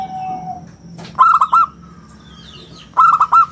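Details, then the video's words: Local zebra dove singing persistently in the round, crystal-clear style prized as a lure and model for other birds: two short phrases of three quick, rounded, staccato coo notes, separated by a pause. A faint steady tone and low hum sit underneath. "suara bulat kristal - perkutut lokal gacor suara istimewa"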